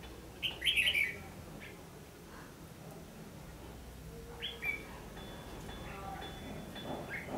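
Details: Red-whiskered bulbul fighting song used as a lure in trapping, recorded 14 December 2015; two short bright warbled phrases, one near the start and one midway, over a steady low background hum.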